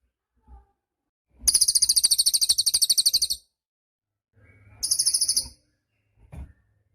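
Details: Cililin singing, offered as tutor material for songbirds: two bursts of a shrill, rapid pulsed trill, the first almost two seconds long, the second shorter, separated by quiet low rustling and a soft tap.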